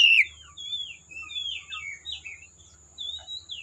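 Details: Oriental magpie-robin heard in the forest, a loud sharp note at the start followed by softer, drawn-out whistled slurs at moderate distance, phrases spaced with short pauses over a faint steady hum.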